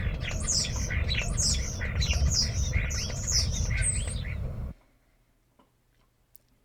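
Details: European Starling giving busy, jumbled calls for about four and a half seconds: quick squeaky whistles, harsh chirps and clicks tumbling together over low background rumble, then a sudden drop to near silence with a few faint ticks.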